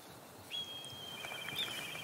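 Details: Black kite (Milvus migrans) perched atop a tree in a nature reserve near Bordeaux, sex unknown, gives a thin, high steady whistle breaking into a quavering pony-like whinnying trill; another kite answers. Faint outdoor hiss.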